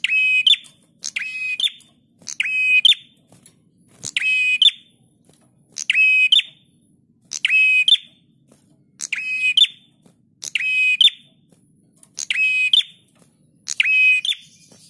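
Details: Prinia song for training cage birds, eleven evenly spaced phrases about every 1.3 seconds. Each is a hard buzzing rasp held steady, then a brief higher upslurred note. No other sounds.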